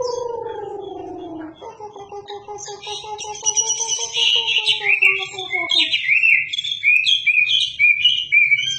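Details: Wambi singing as tutor song for shamas: slow descending whistled notes with harmonics, then a fast bright jumble of high chattering, trilled and warbled phrases.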